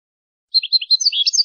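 A European goldfinch sings a quick, tinkling run of high twittering notes, liquid and jumbled, starting after a half-second of silence.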